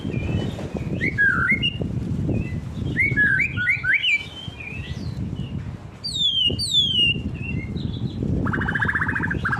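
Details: Singing white-rumped shama, provoked by a rival, gives quick whistled phrases, twittering notes and sweeping downslurs, partly masked by loud low rumbling noise throughout.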